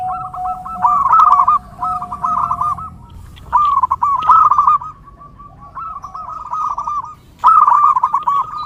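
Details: Zebra dove song, meant for training and luring perkutut: bursts of rapid, bubbling trilled coos repeated about every two seconds, with a steady lower hum under the first phrases.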